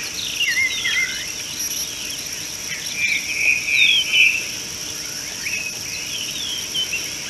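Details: Common bulbul (Pycnonotus barbatus) at an African watering hole, 13 March 2018, giving short, liquid whistled notes in two brief bursts, the second a quick chattering run, over a steady high insect drone.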